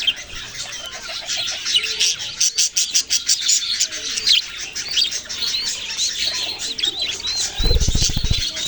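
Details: Many baby budgerigars twitter and chirp in a constant high, rapid chatter; near the end a brief low rumbling, fluttering burst cuts in beneath the calls.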